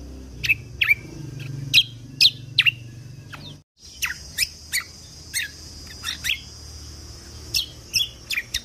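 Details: Lesser green leafbird song used as training material for songbird contests, full of sharp 'tembakan' shots: loud high chirps and downslurred notes in irregular bursts, a brief silent break midway, low hum underneath.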